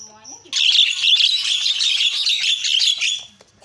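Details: Javan myna (jalak kebo) in full, energetic song with isian filler phrases, used as a master recording for training: a dense, continuous run of rapid chattering and whistled notes lasting about three seconds, preceded by a brief thin tone and low murmur.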